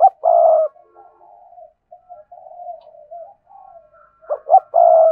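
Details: Spotted dove giving its full cooing song, played to stir captive doves: a loud phrase ending in a long hoarse coo, then softer distant cooing, then two clipped notes and another drawn-out coo.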